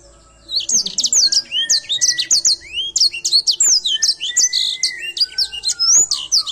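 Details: Edelsanger pouring out continuous song: fast, high-pitched twitters and downslurred whistles packed closely together, with lower rising whistled notes woven through for about six seconds.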